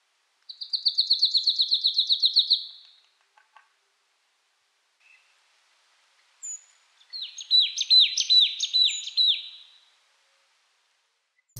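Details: Marsh tit giving its repetitive but melodic call: a fast, high trill of about twenty even notes, then after a pause a brighter series of repeated down-slurred chirps.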